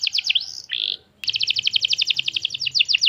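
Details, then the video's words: Lure song of a young canary meant to prompt other canaries to reply: a few down-slurred notes and a buzzy held note, a short silence, then a long, even, rapid trill of repeated sharp notes over a low hum. "PANCINGAN KENARI PAUD Langsung Nyaut Nggak pake lama"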